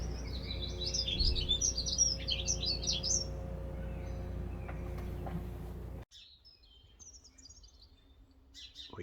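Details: House sparrows (Passer domesticus) chirping in a British garden, a red-listed declining species: busy, repeated chatter of short notes for several seconds over a low hum, dropping to quieter sparse chirps.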